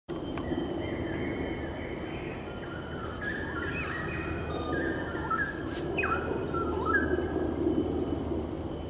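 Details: A straw-headed bulbul in Malaysia gives bubbling, liquid warbled phrases in the middle of the clip, partly buried under a steady rushing background noise and low hum.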